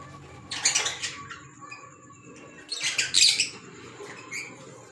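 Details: Green Fischer's lovebirds kept as pets: two short bursts of harsh, noisy high squawks about two seconds apart, over a low background hum.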